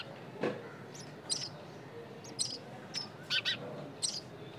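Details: Nestling birds calling: short, high, scratchy chirps given singly and in quick pairs at irregular intervals over faint background hiss.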